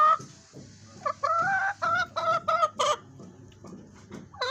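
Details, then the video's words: Fancy hen singing: a run of loud, nasal clucks, several held briefly and others clipped short, in bursts with short pauses and quieter murmuring notes between them. "Fancy Murgi Singing||Hen sound effect||Chicken Sound"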